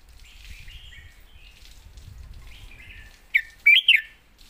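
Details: A red-whiskered bulbul sings a "master song" phrase, a brief run of three or four bright, slurred whistles near the end after a quiet, murmuring lead-in.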